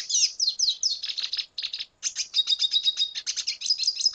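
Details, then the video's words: Red siskin of Venezuela in continuous song: fast, dense high twittering with sweeping slurred notes and a sustained trilled passage, broken once by a brief gap. "Canto Cardenalito Venezuela"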